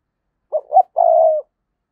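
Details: Spotted dove used as a lure bird, recorded in 2022. A single phrase with two brief coos rising slightly, then a sustained, purring coo of about half a second. No other sounds.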